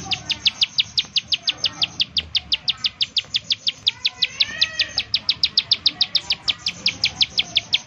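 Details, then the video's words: Bar-winged prinia giving its rapid 'nembak' call, used as a lure to make other prinias sing: a fast, even train of sharp high chips, about five or six per second, running throughout with faint background rustle. "ciblek sawah, nembak nembak untuk pancingan ciblek sawah agar bunyi"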